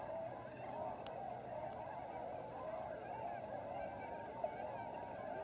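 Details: Tundra Swans (Cygnus columbianus) wintering in large numbers at Lower Klamath National Wildlife Refuge, Klamath Basin, Oregon/California border: a constant murmur of crowded honking calls, with a single faint click near the middle.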